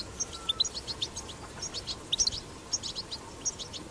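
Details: European goldfinch recorded in the wild, 'batbata' song. Scattered high chirps and short twitters are spaced loosely, a few brighter notes stand out, and there is soft background noise.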